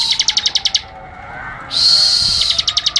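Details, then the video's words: Bar-winged Prinia (ciblek) alternating rapid, sharp 'ngebren' chip series with a long, harsh, buzzy high note, then more quick chips. "Ciblek AK47 Ngebren Rapat Tembakan Tajam || Burung Liar Auto EMOSI!"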